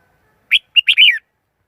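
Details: Red-whiskered bulbul lure voice for trapping wild bulbuls, no background noise: a quick chirp, a brief clipped note, then a longer rolling, warbled phrase sliding downward at the end.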